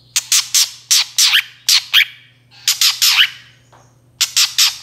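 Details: Long-tailed shrike sound used as a lure to draw other shrikes into answering: harsh, buzzy, broadband squawks in quick bursts of three or four, separated by short pauses, with a low steady hum underneath.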